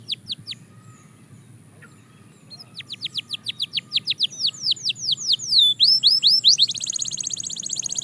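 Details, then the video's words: Belgian canary building its song during daily training: a few soft whistles, a pause, then a growing series of quick falling notes that swell in loudness and merge into a fast high trill. "Shocking Canary Singing Progress – You’ve Never Heard This Before!"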